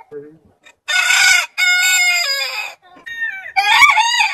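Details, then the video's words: Rooster crowing a loud, harsh cock-a-doodle-doo in two drawn-out phrases, then a shorter rising crow, with a few soft clucks at the start. "Rooster Sound Alarm Suara Ayam Berkokok Panjang Gallos Cantando Chicken Song Rooster Crowing"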